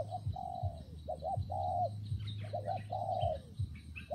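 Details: A spotted dove coos in rainy, windy weather, alternating long mellow notes that trail downward with quick double coos, over a low steady hum and scattered faint chirping of other birds.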